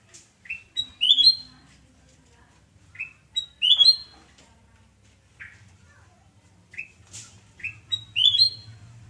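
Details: Sooty-headed bulbul singing in the morning at a home in Surabaya on 29 November 2017, short bright whistled phrases of rising notes repeated about every three seconds, with a low hum in the background.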